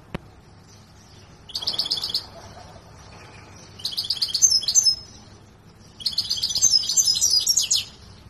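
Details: Large Himalayan saira canary singing during training near Quetta. Three bursts of high, fast trills and warbled twitters, each lasting about a second, come with short pauses between them, preceded by a single click.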